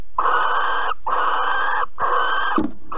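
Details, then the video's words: Three harsh, wheezing hisses, each close to a second long, from a barn owl at Alphen on 15 April 2020 during a mouse handover and mating. "Kerkuil Alphen 2020 04 15 PO muis en paring"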